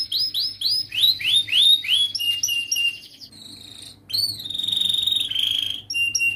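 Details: Young canary tutor song for training young birds: repeated rising and falling whistled notes, a run of chirps, a quiet pause, then a long buzzy trill gliding downward and short high notes.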